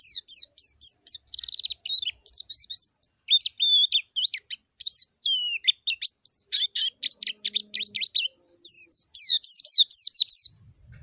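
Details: Calling out a rival, a white-eye delivers high, sweet twittering: looping whistled notes, a brief fast trill near the second second, then dense bursts of descending chirps with short silent gaps, clearly recorded.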